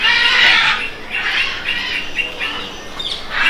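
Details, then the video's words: Rosellas (Platycercus) in a large mixed Australian parakeet aviary at Loro Parque, Tenerife, give five or six harsh, raspy squawks in quick succession, with overlapping chatter from other parakeets. "The Rosellas or the Platycercus make these voices."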